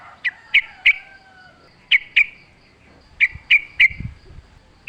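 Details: Yellow-vented bulbul calling in natural surroundings, forest style: sharp downslurred chirps given in groups of two or three, separated by pauses, with a faint low rumble.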